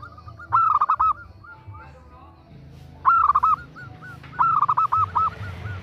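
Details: Zebra dove female calling to attract a male: three bursts of fast stammering coos with softer single notes between them, over a low background rumble.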